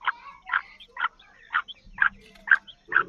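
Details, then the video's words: Female black francolin calls meant to draw and excite males, short harmonic notes repeated about twice a second, bright and slightly nasal, with a low hum underneath. "کالی مادی کی ایسی خوبصورت آواز"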